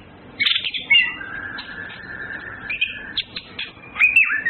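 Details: Orange-headed thrush, known locally as anis kembang, with males and females flirting; bright whistled and chirping phrases around upper mid pitch, short bursts separated by pauses, with a long steady tone running underneath.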